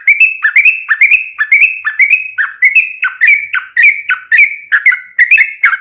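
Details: Sooty-headed bulbul, a lively singer, giving a long rolling song used to lure other bulbuls into singing: rapid bubbly whistled notes around two kilohertz, each with a sharp upper click, strung continuously about twice a second with no other sounds.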